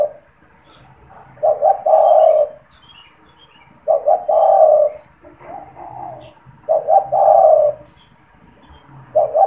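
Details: Caged spotted dove (tekukur) calling for luring wild doves and prompting others to call: low, mellow coos in rolling phrases repeated about every three seconds, with faint higher chirps in the background.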